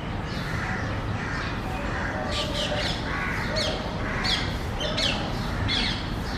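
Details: Common myna giving a series of harsh, scratchy squawks, repeated roughly once a second with some rising notes, over a steady low rumble of background noise.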